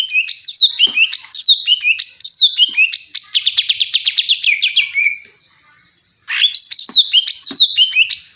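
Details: Greater green leafbird song: repeated rising and falling whistled phrases, then a fast rattling trill that fades out. A brief pause follows before the bright whistled phrases resume.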